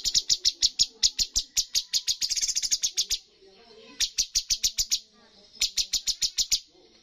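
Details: Bulbul song from a bird competition, full 'tembakan' volley for highest points: long series of sharp high notes accelerating into a dense trill, then two further short bursts separated by pauses.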